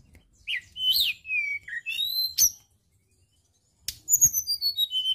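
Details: Song of a white-browed shortwing from Indonesia, played as a lure for training songbirds: a rambling phrase of high, slurred whistles rising and falling, a short pause, then a fast descending series of clear, very high notes.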